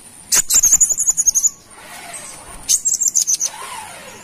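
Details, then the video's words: Brown-throated sunbird from Kalimantan, recorded as a lure: two bursts of rapid, very high, sizzling trills, each about a second long, separated by a short pause, with a faint lower slurred call near the end. "Kolibri Wiceh Gacor / Pancingan Burung Manggar Kelapa"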